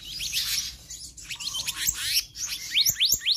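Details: Black-naped Monarch giving energetic 'gacor konslet' song with full variation, used to train other birds: dense high chirping and twittering, then a short series of sharp rising notes at the end.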